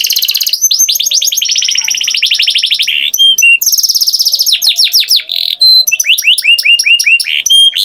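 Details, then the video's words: Canary song with rapid rolling trills in bursts, interrupted by sharp pure whistles, then a series of quick descending and rising slurred notes repeated several times a second. "Canary Singing Beautifully"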